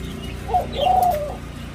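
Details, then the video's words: Senegal dove x ringneck dove hybrid, generation uncertain (looks F2), kept in Thailand, gives a nest coo: a brief soft low note followed by a longer steady hum falling away at the end. "Senegal dove-Ringneck dove Hybrid Nest Coo Call"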